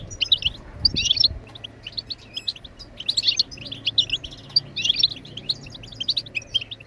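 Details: Goldfinch song: dense clusters of rapid, jangling chirps alternate with short gaps in a lively twittering sequence over a faint low hum.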